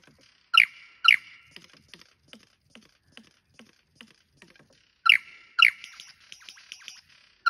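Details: Lyrebird in cool, wet rainforest at Tarra-Bulga National Park, Victoria, giving a striking song performance: loud, ringing whistled phrases in two bursts, with softer clicks and chattering notes in between.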